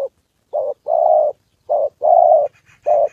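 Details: Spotted dove decoy in Gia Lai, Vietnam, meeting a wild male and a female on the 2 September holiday, cooing steadily in low hollow phrases, a short note followed by a longer one, about once a second.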